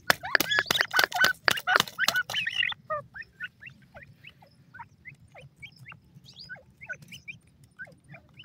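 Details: Wild black francolin chicks, known as Sindhi teetar, feeding: loud harsh broadband calls for about three seconds, then thin, high, upslurred peeps repeating several times a second.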